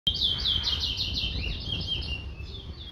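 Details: Chestnut-bellied seed finch, known locally as towa towa, from Guyana, singing a rapid, sweet warbled phrase of slurred whistled notes that rise and fall. It runs continuously for about two seconds and then fades, with a low background rumble.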